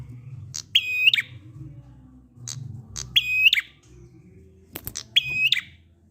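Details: Prinia ngalun song used as a lure for silent prinias: three buzzy, nasal, evenly held notes framed by short chirps, spaced about two seconds apart, over low rumbling hum and a sharp click.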